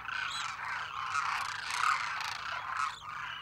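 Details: A dense flock of Demoiselle cranes (Grus virgo) fills the air with overlapping croaking, rolling calls, a steady raspy chorus without pause.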